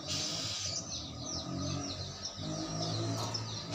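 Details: Lovebird answering another lovebird after being lured by its calls: thin, squeaky chattering notes run high and fast through the clip, half-buried under a steady low rumble of background noise.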